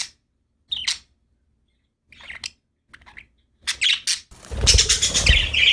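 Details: Cheerful budgerigars: scattered short high chirps separated by silences, building into a loud, dense burst of overlapping chatter and squeaky warbling at the end.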